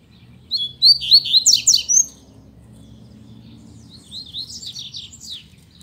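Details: Caged coleiros, or double-collared seedeaters, kept as pets and singing well under a careful care routine: a rapid phrase of bright, zigzagging whistled notes, followed after a pause by a quieter, more distant twittering phrase, over low background hum.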